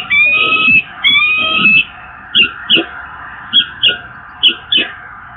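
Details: Peregrine falcons at the Evoluon in Eindhoven, 8 April 2022: two drawn-out, strained wailing calls, followed by three pairs of short, harsh notes spaced about a second apart, over steady background noise.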